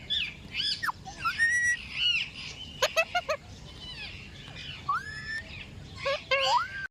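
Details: Talking parrot chattering in a mix of speech-like sounds, squeaky chirps, sharp clicks and upward and downward whistled slides, heard in bursts across several seconds.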